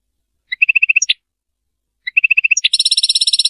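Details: European goldfinch, Serfati-style song: two runs of quick even chirps, each ending in a sharp note, the second leading into a sustained rapid buzzy trill.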